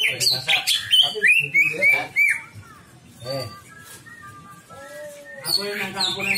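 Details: Greater green leafbird lure song for drawing out a bird's repertoire: fast, bright whistled phrases and chips at the start, then sparse softer notes with murmuring voices and music, before a renewed loud burst.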